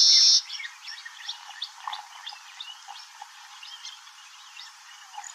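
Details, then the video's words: Baya weaver singing: a busy, fairly quiet run of short high chirps and squeaky notes, after a brief loud steady tone at the start. "Baya weaver bird singing"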